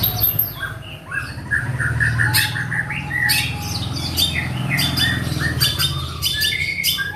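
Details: Caged long-tailed shrike in Java singing a mimicry song with long, repeated imitated phrases: harsh squawking bursts mixed with short whistled notes and chattering, over a steady low hum.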